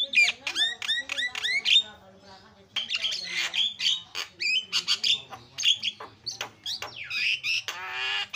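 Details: Javan myna singing loud 'isian' tutor song for training other songbirds: it opens with a quick series of repeated rising whistled notes, then breaks into rapid harsh squawks, buzzy rattles and chattering, ending in a grating drawn-out rasp.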